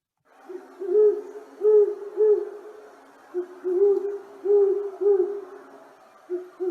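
Great Horned Owl giving deep, soft hoots in short runs of three or four, each hoot about half a second apart, with slight room echo.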